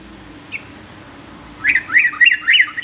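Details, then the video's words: Sooty-headed bulbul, a tutor voice for young males learning varied songs: one faint note, then four swooping, rising-falling whistled notes in quick succession. "kicau trucuk aneh tapi unik"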